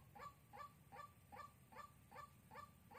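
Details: White-breasted waterhen, a decoy bird for trapping, Soc Trang, 2 February 2021. Evenly spaced, short honking croaks repeat about every 0.4 seconds against a steady low hum.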